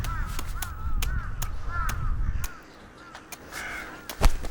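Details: Wintering rooks near Ulsan's Taehwa River, South Korea, give short, arched, nasal caws in quick overlapping succession, a group signal before sunset to regather the flock for the roost, over a steady low rumble.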